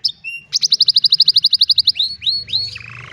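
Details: Old canary singing in the afternoon, delivering a steady rapid trill of about sixteen identical notes, followed by slower rising sweeps and a buzzy ending, over a faint low hum.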